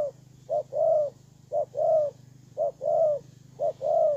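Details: Decoy spotted dove recorded in Tumorong, Kon Tum, in September 2018. It gives four regular short-then-long mellow coo pairs roughly every second, with a constant low droning hum beneath.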